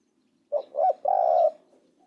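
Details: A single spotted dove phrase: a brief low coo, a rolling double coo, then one long even coo, in a quiet setting.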